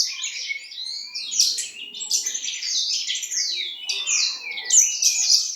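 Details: Diligent Horsfield's bushlark from East Java giving a rich, rapid song of scratchy trills, whistled slurs and quick chirps, nearly continuous.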